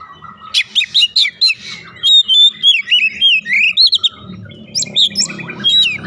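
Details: Oriental magpie-robin song played as a lure to spur singing, a rapid string of rich whistles and twisting slurred notes, about four notes per second, over a low steady hum.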